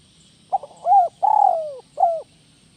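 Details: Spotted dove singing a 'kuk 1 melambung' style phrase: a short clipped note, then a held mellow coo, a long rolling coo sliding downward, and a short final coo. Quiet background.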